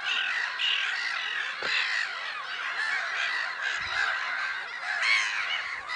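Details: At Lake Sarymsak, Pavlodar region, Kazakhstan, in spring 2011, a crowd of black-headed gulls keeps up harsh, crow-like cawing cries, layered and irregular, swelling slightly toward the end.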